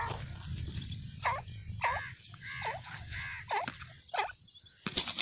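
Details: Grey francolin pair of five years, breeding three times in a season: a run of strident, swooping notes about every half second, then a sharp clatter at the end, over low background hum.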